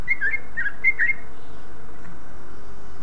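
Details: Greater green leafbird song, used to provoke other leafbirds into singing: a quick run of short, clear whistled notes packed into the first second, followed by a steady background hiss with no further calls.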